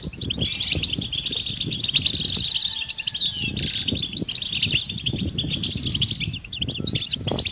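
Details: European goldfinches calling en masse with mating calls meant to push silent males into song; a thick wash of bright, fast twittering notes over soft fluttering and rustling.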